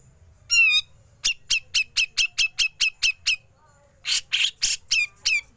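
Grey-cheeked bulbul giving a run of about a dozen sharp, high chips at a steady quick pace, then a burst of harsher, buzzy notes.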